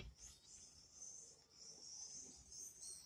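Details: Common swifts producing a continuous high, hissing scream with slight wavering pitch, set against low rumbling background noise.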